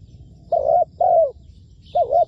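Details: Decoy spotted dove, ground-placed for dove trapping. It gives two mellow coos, the second sagging at its end, then after a pause a short double-humped coo. A faint high chirp sounds in the background.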